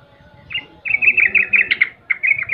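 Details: Sooty-headed bulbul song meant to taunt rival birds into replying at once: a lively run of bubbly, chattering warbled notes, briefly rising higher, then a short pause and another quick chirping phrase.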